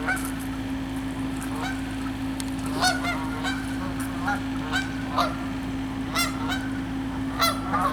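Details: Canada geese on a freezing pond, lying and walking on the ice in cold weather, honk in a loose chorus, loud nasal two-part honks coming every second or so over a steady low hum.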